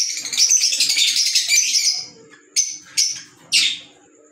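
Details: Green Fischer's lovebird calling: two seconds of dense, shrill chattering, then three short sharp squeaky bursts spaced about half a second apart, with a faint steady high hum in the background.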